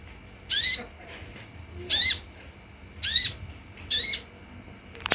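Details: Lure sound for olive-backed sunbirds (kolibri ninja): four grating, buzzy high bursts roughly every second and a quarter over a quiet background.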